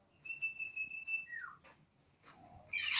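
A cockatiel holds a steady high whistle for about a second, then slides down in pitch, followed by brief chirps and a harsh, rising screech at the end.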